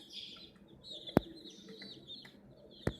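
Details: Chicken chicks peeping with a toy crane, high thin chirps continuing throughout, interrupted by two loud sharp knocks.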